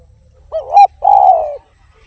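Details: Lively derkuku song from a spotted dove, tanpa kuk or kuk 1 type: a wavering opening note, a short pause, then a long, warm, gently descending coo, with faint low rumbling beneath.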